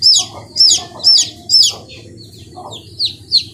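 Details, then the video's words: Chicken chicks peeping: high, sweet, downslurred peeps repeated about every half second over a low rumbling background. "The sound of the chicks is very sweet"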